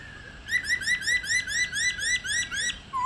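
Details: Old wild-caught female laughingthrush, played to stimulate white-browed laughingthrushes, gives a rapid rolling series of about ten rising slurred whistles, roughly four per second, ending with one lower note.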